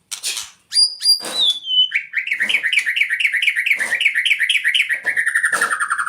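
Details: White-rumped shama, forest type, singing: a few clear high whistles, then a long fast string of short rising notes, about three a second, easing lower toward the end, with some sharp clicks and rustles.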